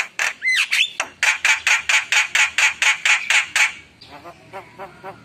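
A Javan myna gives a couple of clear whistles, then a fast run of about a dozen harsh, grating squawks, about four per second, fading into softer chatter.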